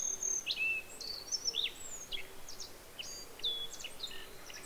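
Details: Singing Japanese Yellow Bunting with a Black-faced Bunting overlapping: bright high whistles opening the clip, then clusters of thin chips and drawn-out slurred notes, steady soft ambient noise beneath.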